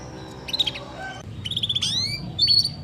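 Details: Canary singing in an energetic training recording: short bursts of high chirps, then a sliding, whistled phrase that climbs toward a bright upper note, over a low steady background hum.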